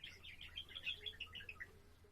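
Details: Soft budgerigar warble from a pet bird, recorded April 7: a bubbling run of short chirps and twitters, quieter than the background hum in places, flowing continuously for the whole stretch.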